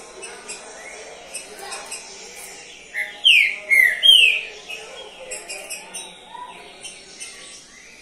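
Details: A champion Green-winged saltator that placed third in the competition season gives a short phrase of three loud, rich, slurred whistles, with faint chirps of other birds and soft background noise.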